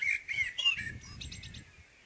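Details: Short burst of common blackbird morning song: a few rich, fluted whistles sliding up and down, trailing into a thin, high twitter.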